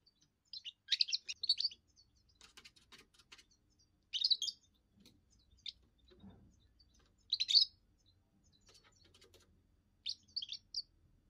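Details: Young European goldfinch giving its first song, sung to declare its territory and attract females: about five short bursts of rapid, high twittering chirps split by pauses of a second or more, with a faint low rumble beneath.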